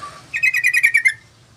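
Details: Yellow-vented bulbul singing actively, lure and tutor recording: a brief warbled lead-in note, then about eight fast, bright bubbly notes in under a second over a low hum.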